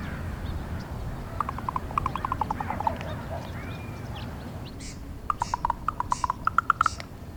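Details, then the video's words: Knocking rattles from a female raven talking to her mate: one run of quick hollow clicks, a pause, then a second brisk series of sharp knocks stepping up in pitch, with soft breathy noises between. "Female raven making different sounds"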